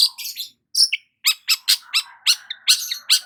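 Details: Morning song of a sunbathing long-tailed shrike: a rapid run of harsh, scratchy notes dropping in pitch, repeated about twice a second, over a faint lower warble.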